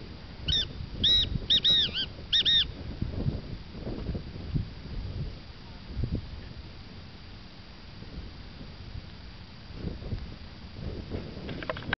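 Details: A displaying male Black Francolin in the Göksu Delta, Turkey, gives one harsh, grating phrase of about five clipped, creaky notes in two seconds, then stops; low rumbling background noise continues.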